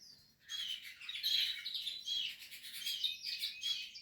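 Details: Portuguese harlequin canary chicks in the nest, from a breeding setup, give a burst of high, squeaky, overlapping chirps in quick pulses, starting after a short quiet moment.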